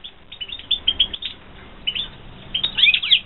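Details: Caged European goldfinches from a 2016 breeding season chirp in a quick run, go briefly quiet, then break into a louder flurry of sliding, twittering notes.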